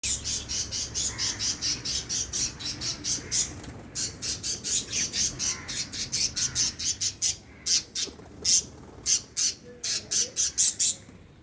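A budgerigar gives rapid, high, scratchy chirps, about three every second, in a steady chattering run.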